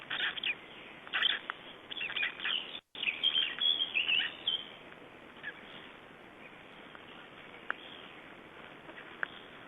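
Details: Nestling Black Storks, three days old, recorded in Estonia in 2012, chattering in quick squeaky bursts for the first few seconds, then fading to a few isolated peeps over hiss.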